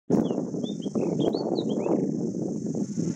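Rufous fieldwren gives a quick run of about nine thin, high whistled notes that step up and down in pitch, half-buried under a loud low rumble of wind and a steady hiss.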